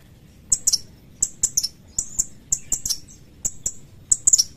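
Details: Sooty-headed bulbul giving sharp, high chirped calls in quick pairs and triplets, short bright notes with brief downward slurs, repeated irregularly through the clip against a quiet background.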